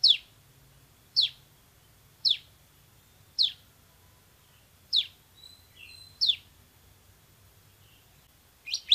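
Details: Loud bar-winged prinia tutor recording of a semi-active singer: sharp high downslurred notes repeated roughly once a second, steady and evenly spaced, with a faint low hum and a brief soft chirp in between.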